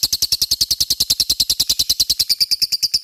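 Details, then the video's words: Ngekek song of a lovebird, used to prompt other lovebirds to answer: an unbroken, rapid series of shrill, high chirps, roughly seven per second, even in rhythm and loudness throughout. "Pancingan LOVE BIRD gacor ngekek,mudah di respon lawan"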